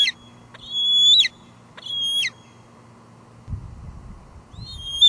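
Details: Live nest cam at Two Harbors, evening of July 2022: a female bald eagle lets out two long, thin, whistled squeals that end in a downward slur, followed by a pause, rustling bumps and the start of another call.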